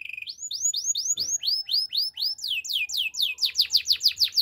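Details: Canary song used for training: a rapid series of bright, rising whistled notes repeated about twice per second. It shifts into faster, buzzy rolling phrases near the end, with no other clear sounds.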